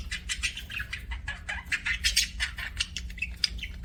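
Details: Pet budgerigars chirping in an aviary: a dense, busy chatter of short scratchy notes and quick warbles, overlapping continuously with no pauses.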